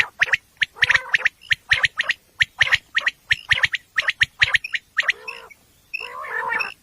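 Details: Night-time common quail, sound used for hunting, pouring out a long string of sharp clipped triplet notes, then two extended buzzy, rasping calls.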